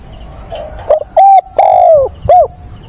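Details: At dawn on 22 October a decoy spotted dove coos to provoke wild birds: a quiet muffled note, then a crisp level coo, a long gently falling coo and a short arched final note, with a thin steady whine behind.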